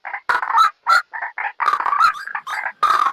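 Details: White-breasted waterhen lure for trapping: short, harsh, clucking croaks in quick irregular bursts separated by tiny gaps.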